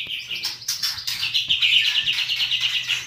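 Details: White-rumped shama (Murai Batu) singing a kretekan-style song: a rapid, rattling chatter of repeated high notes that runs into a dense, fast trill, loud and close.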